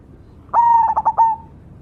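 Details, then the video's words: Vigorously singing cemani zebra dove gives one phrase: a smooth steady coo followed by four rhythmic pulsing beats and a brief fading end, clean and close with little background. "suara burung berkutut cemani gacor mangung"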